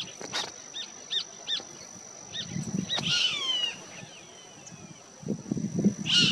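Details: Roadside Hawk (Gavião-carijó) recorded in Punta del Este, Maldonado, Uruguay, June 2022: a squealing call sliding down in pitch midway, another starting at the end, with short repeated chirps of another bird early on and a steady high whine throughout.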